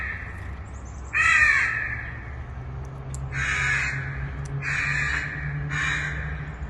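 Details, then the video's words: Distant crow cawing: four harsh, broad caws spaced about a second apart, the first loudest, the rest softer and more distant-sounding, over a low steady hum. "Crow Bird Distant Calls Cawing"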